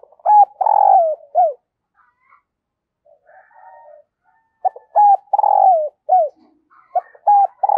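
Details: Spotted dove kept as a decoy, cooing to lure wild birds: two clear, deep cooing phrases about four seconds apart, each a quick note, a long mellow hoot and a dropping end, with faint soft notes between.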